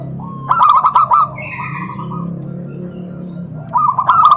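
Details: Zebra dove (perkutut) calling to provoke other doves to answer: a quick burst of rolling, trilled coos, a pause with faint higher chirping in the background, then another rapid rolling phrase.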